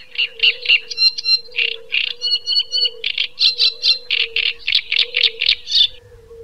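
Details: Great reed warbler song with loud, grating, throaty syllables repeated in a fast run of roughly three per second, broken by a couple of thinner, higher whistled notes, stopping after six seconds; a constant low drone continues beneath.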